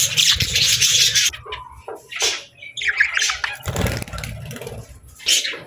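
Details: Parakeets (budgerigars) chirping softly. Scratchy, warbling chirps and short squawks come in quick bursts, mixed with harsh broadband rasps and a low rumbling background.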